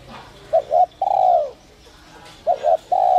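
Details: 'Giọng còi' voice of a spotted dove, kept to stir wild doves: a pair of short notes followed by a drawn-out, downward-sliding coo. The pattern is given twice.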